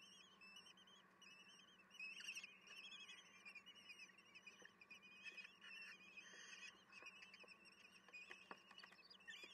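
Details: Common kestrel (Falco tinnunculus) chicks in a nest give a thin, wheezy, trilling begging chorus, rising in intensity as food arrives at an evening feeding (10 June 2022, 18:30), over a low electrical hum.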